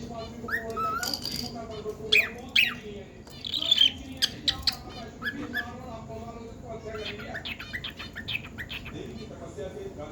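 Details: Pet cockatiel giving harsh squawks and short sharp chirps, bunched in the first five seconds, then quieter scattered calls, with Hindi speech running steadily in the background.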